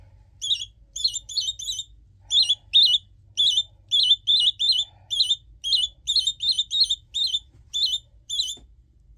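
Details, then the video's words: Chatty pet budgerigar chick calling steadily, a long run of quick high warbling chirps in close pairs and triplets, nearly continuous, over a low background hum. "Птенец разговорчивый."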